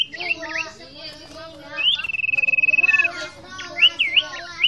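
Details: Masteran recording of a common iora singing in energetic 'fighter gacor' style: scattered high chirps, then a long, rapid, even trill lasting about a second, ending in looping whistled notes, over a murmur of voices.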